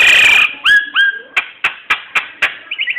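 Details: Nias hill myna singing, used to lure other birds into singing: a harsh, noisy burst, then two clear whistled rising notes, a run of sharp clicking notes, and a quick fluttering trill at the end.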